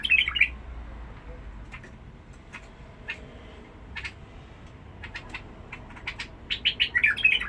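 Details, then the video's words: Caged Basra bulbul with a harsh-toned voice: a short warbled, gurgling phrase opens and another closes, with scattered sharp clicks and chirps between them and a low hum beneath. "بلبل فول بصره بدراوي نبره صوت خشن"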